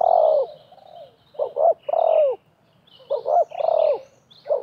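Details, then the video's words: Wild spotted dove and a decoy dove called against each other during a 2024 bird-trapping session with snares set in a half circle. Mellow cooing phrases, each a short double note and then a long falling coo, with faint chirps from other birds above. "TERKUKUR LIAR DAN PIKAT BERADU/BERLAGA HEBAT"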